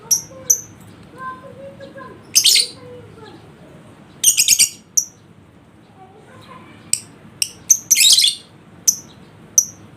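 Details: Lovebird sounds used to provoke a lazy bird into ngekek singing: bursts of loud, dense high shrill chattering alternate with single sharp high chips, over a faint low murmur.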